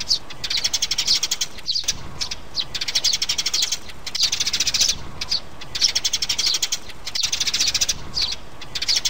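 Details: A sparrow mother and chicks in a lure for trapping birds: dense, rapid high chirping comes in repeated bursts, with short gaps and a steady faint hiss behind it.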